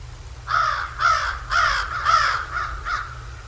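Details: Bald eagle calling at Decorah North on a live nature cam, 7 January 2024, 08:36: loud, squealing, slightly harsh high notes, roughly two per second, about six in a row, with a faint low hum beneath.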